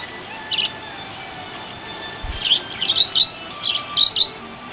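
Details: Happy budgerigar chirping: short bright chirps, a single note near the start, then a quick cluster of sharp high twitters toward the end, with quiet gaps between and a soft thump in the middle.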